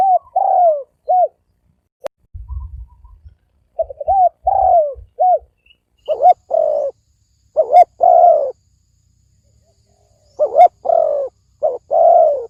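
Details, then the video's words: Spotted dove cooing in the rapid thổ ồm vang style. Low drooping coos and short hooked notes come in dense, overlapping bursts. Low rumbling thumps sound early on. "Tiếng chim cu gáy thổ ồm vang gáy gù siêu tốc siêu nhanh"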